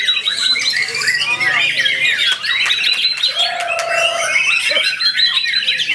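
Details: White-rumped shama, newly acquired bird, recorded at Ciseeng, Bogor, on 10 August 2021, singing a dense stream of sharp high chirps and trills, with one sustained low whistle near the middle.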